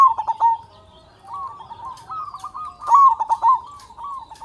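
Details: Local zebra dove from Indonesia, a loud singer used to make other doves call quickly. Short clipped coos give way to rolling, wavering notes, then a louder stuttering burst of coos near the end.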